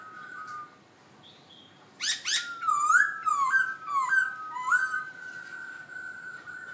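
Black-throated laughingthrush singing loud, rich whistled phrases that swoop and warble, with bursts of harsh chattering notes; a quiet room hum underneath.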